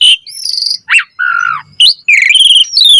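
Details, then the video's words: Asian pied starling giving its varied chattering song: a high whistle, a wavering buzzy trill, a downslurred harsh note and a rapid grating trill, loud and clean. "Suara Jalak Suren Gacor Full Variasi Materi Ocehan - Pancingan Burung Jalak Gacor Full Isian Mewah"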